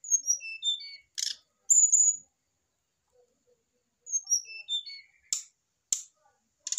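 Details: Adult male brown-chested jungle flycatcher, caged and placed next to a female: cascades of high descending whistled notes, a buzzy burst and a bright whistle, a quiet pause, then the cascade again with sharp clicks.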